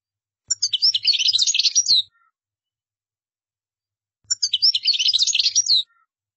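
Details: European goldfinch, qdara song, delivered as two separate phrases about one and a half seconds long, each a fast jumble of high, sweet twitters and trills, divided by roughly two seconds of silence.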